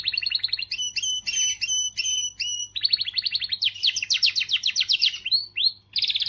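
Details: Powerful canary song for motivating females and tutoring song: clear paired whistles repeated about twice a second, then rapid rattling trills and a climbing, sweeping series of notes.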